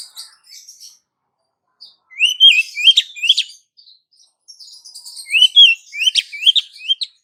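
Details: Female Oriental magpie-robin calling to attract the male, used as a lure: faint chatter, then two bursts of three to four upswept whistled notes with crisp chips, separated by a short pause.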